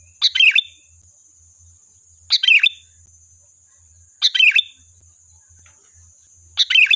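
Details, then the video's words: Sooty-headed bulbul in lively song, used as a lure to provoke wild birds to answer: four short, bright, chattering whistled phrases, each falling then briefly levelling, spaced about two seconds apart, over a steady high electronic whine and faint low hum. "Suara Burung Kutilang Gacor, Pancingan Ampuh dijamin nyaut"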